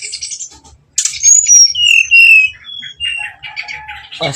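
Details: Brown-chested jungle flycatcher lure song, with nretet and nembak styles, used to make rivals agitated: high chattering opening, then loud clear whistles sliding downward, followed by softer warbled notes.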